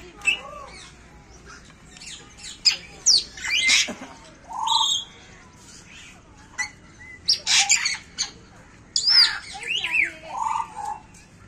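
African grey parrots give a varied run of sharp whistles, rising squeaks and harsh squawks in quick bursts, with a few lower, speech-like mumbling notes between them.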